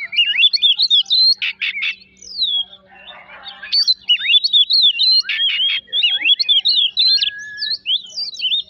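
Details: Song of an Oriental magpie-robin, played as a provocation lure to make other birds sing; rapid mix of sweet whistles, sharp chirps and scratchy harsh bursts, with a short quieter churring pause mid-way before the varied phrases resume.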